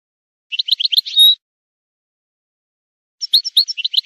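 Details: European goldfinch song used for training singing and stimulating breeding birds to mate: two bursts of quick, liquid twittering notes, the first ending in a drawn-out tone, separated by nearly two seconds of silence.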